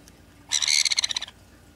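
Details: A sun conure, from a pair of the same age, one bald from a genetic mutation but healthy, gives one harsh, grating screech of about a second, made of rapid raspy pulses, otherwise quiet.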